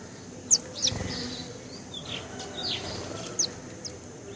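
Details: House sparrows at a feeding spot give a few short, high, sharp chirps, spaced irregularly, with fainter chirps from other birds over a steady background hiss.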